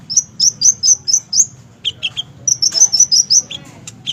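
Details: Caged olive-backed sunbird of fighter class singing a fast series of high sharp notes, about five per second, broken by lower chips, over a low background hum.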